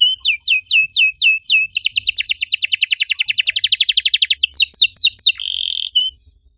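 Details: {'caption': 'Canary singing as a master song to coax silent canaries into song: a slow series of rising-falling sweeps, then a fast, even rattle of many short notes, and a closing steady buzzy trill.'}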